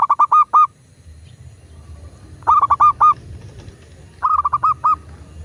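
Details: Zebra dove of local stock, recorded as a prompt for caged doves: three phrases of quick stammering coos, each about five short notes ending in a longer one, spaced about two seconds apart against quiet background.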